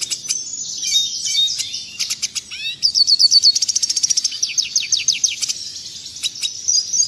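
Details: Tutor song of a red siskin for caged birds: mixed high chirps and slurs lead into a fast, even rattle of rising notes, then a softer buzzy twitter.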